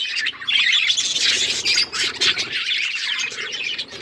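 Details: Chorus of budgerigars, busy chatter of rapid chirps, squawks and a thin whistled note early on, continuing without pause.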